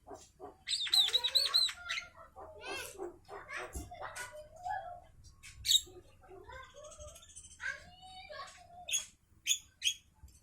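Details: Javan myna singing at midday: a varied run of harsh chattering notes, dry clicks and short whistled phrases, with buzzy bursts between quieter gaps over a faint low hum.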